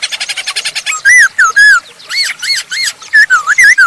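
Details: Masked laughingthrush singing actively, used as a lure to get other birds singing: a fast series of short clipped notes, then loud slurred whistles rising and falling around mid pitch, some arched, repeated in quick succession.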